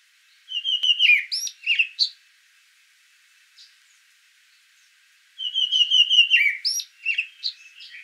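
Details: A Karoo thrush in a garden in Johannesburg sings two fluty, whistled phrases about four seconds apart, each a run of clear notes slurring up and down, in quiet surroundings.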